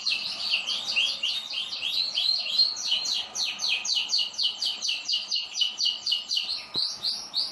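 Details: Several kept canaries singing together: fast, high, rolling trills of rapid repeated notes, about four a second, running continuously in bright overlapping phrases.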